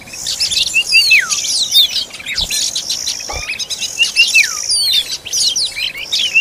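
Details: Oriental magpie-robin feeding its young, giving high looping whistles and falling slurred notes in repeated bursts, with a constant thin chatter behind and two dull knocks.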